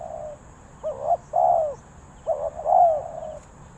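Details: Spotted dove cooing in two quick phrases, each made of a short note followed by a fuller, longer coo, with a thin constant high hum behind.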